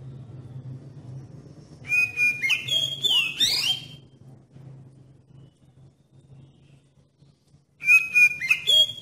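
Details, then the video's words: Oriental magpie-robin lure song meant to get other magpie-robins singing: a burst of loud whistled, sliding notes, then a long quiet gap with faint low hum, then the whistles return at the end. "Suara Pancingan Kacer Paling Ampuh Bikin Kacer Lain Cepat ON dan Nggacor"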